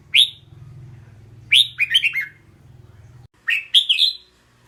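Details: A single bright note from a red-whiskered bulbul, followed by two lively phrases of three or four rolling, whistled notes; a soft low hum runs beneath the first three seconds.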